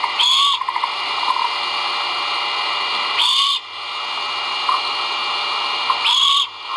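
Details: Great horned owl nestlings calling as food arrives at the nest, captured by a live camera on 1.04.2022. Three loud, breathy screeches, each with a thin rising whistle, repeat about every three seconds over background hiss.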